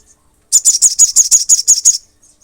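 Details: Olive-backed sunbird in energetic song aimed at rousing rival sunbirds: a short silence, then nine rapid, evenly spaced, piercing high notes delivered within about one and a half seconds.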